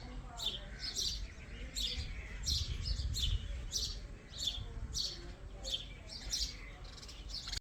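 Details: Baby ringneck parakeet repeating hoarse, high chirps, some doubled, at an uneven pace of over one a second, with low background rumble throughout.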